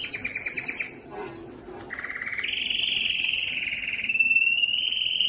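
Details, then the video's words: Belgian canary singing loudly to lure females for breeding: a fast buzzy double-pitched trill, a short quiet gap with soft low notes, then a rising rattle leading into a long sustained whistled trill. "O canto mais forte do canário belga que atrai as fêmeas para a reprodução"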